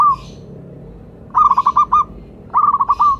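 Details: Local zebra dove, a frequent singer used as a lure and to prompt other doves to sing, giving a short cooing note, then two bursts of rapid staccato coos, each five or six notes rolling together at a mid pitch.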